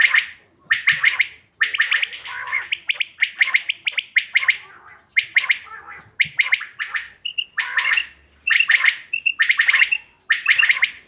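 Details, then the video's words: Common quail call used as a hunting lure, recorded 5 June 2025: dense runs of sharp, clipped three- to four-pulse phrases repeated about once a second, with brief whistled notes between, in a quiet background. "bater ki awaz shikar k liye behtareen awaz quail bird sounds for hunting بٹیر کی آواز"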